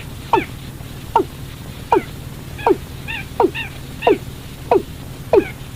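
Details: Watercock calling for use as a night-time trapping lure: a series of eight swooping downward notes, evenly spaced under a second apart, with brief higher clucks mixed in and a constant low background drone.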